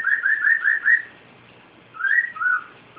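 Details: Pet cockatiel whistling a quick series of five clear, sliding notes in the first second, then after a pause two longer, smooth whistles, one rising and one falling, with a soft room hum underneath.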